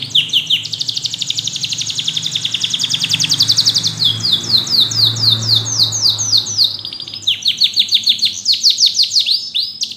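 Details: A yellow canary sings a varied, loud song of rapid high trills. It switches between buzzy rolled tours and sweeping downward-slurred notes, repeated several times per second, with a faint low hum beneath.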